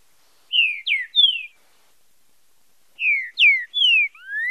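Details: Green-winged saltator song for training and stimulating young birds' singing, in the fibra style with marcheado: short phrases of three clear, slurred downward whistles, repeated after a pause of about two seconds.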